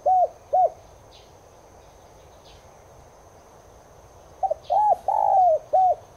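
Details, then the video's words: Spotted dove (Streptopelia chinensis tigrina) cooing, used to stir caged doves into calling. Two clipped coos are followed by a pause. Then a low phrase of short notes swells into a long smeared coo and ends with a final hooked note. "NẾU CU GÁY NHÀ BẠN [ YẾU LỬA ] KHÔNG GÁY THÌ HÃY MỞ VIDEO NÀY LÊN ĐẢM BẢO CHIM NHÀ BẠN GÁY THEO NGAY"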